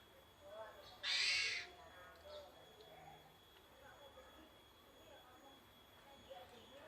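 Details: Basic song of a Javan pied starling: a single loud, hoarse, grating burst lasting about half a second, followed by quiet background with faint murmuring.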